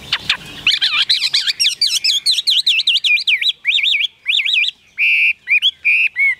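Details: Caged Chinese hwamei in full song: rapid buzzy notes lead into a long string of wavy, warbling whistles, then short pauses and several clear slurred notes.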